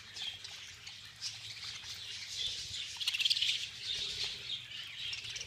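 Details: Budgerigars in a large group during a feeding frenzy, giving dense, continuous high chirping and chattering warbles from many birds at once, with brief wing flutters and a slightly louder burst of rapid chirps midway.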